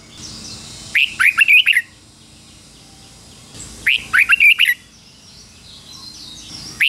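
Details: Red-whiskered bulbul used as a decoy, singing to provoke rival birds into fighting: two short bursts of bright, warbled whistled notes about three seconds apart, separated by quiet pauses.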